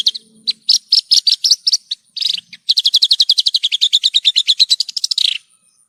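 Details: Horsfield's bush lark (branjangan) song from a masteran tutor recording: rapid high chirped notes in quick runs, a brief pause, then a long fast rattling series of sharp repeated notes before ending abruptly.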